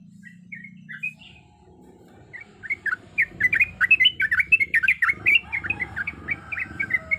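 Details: Sooty-headed bulbul, a female in breeding condition, calling for males. A few soft scattered notes build into fast, tumbling, bubbly chatter over a low background rumble.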